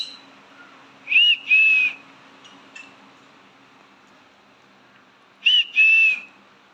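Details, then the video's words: Pet green-cheeked conure calls to its owner with two pairs of clear whistles, a brief rising note then a steady drawn-out one, the pairs separated by a four-second pause in a quiet room. "my parrot cheeku is calling me"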